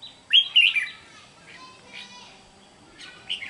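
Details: Captive Red-whiskered bulbul, a wild-caught bird from Vietnam, gives one loud, rapid warbled phrase of bright twisting whistles. Quieter scattered chirps follow, and a brief whistled note comes near the end.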